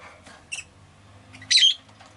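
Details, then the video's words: Rosy-faced lovebird, a pet bird, giving a brief faint chirp followed by one louder, harsh, squeaky high chirp over a low background hum. "Lovebird Chirping Sounds"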